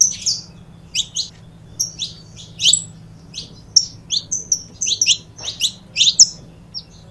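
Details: Saffron finch pair, recorded for warming up other birds, with quick high-pitched tweets in irregular clusters of two to four notes and a low background hum throughout.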